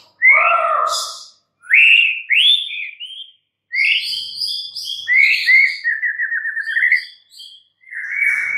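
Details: White-rumped shama, a kept songbird, giving loud rising whistles and harsh notes, then a fast evenly spaced trill of short notes and a final held whistle.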